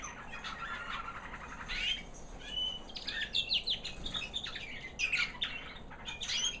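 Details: White American Singer canary hen, a proven 2009 breeder that raised young last year, singing after the molt: a high, sweet little song of rapid rolling trills, then short whistled notes and chirps, with faint steady background hiss.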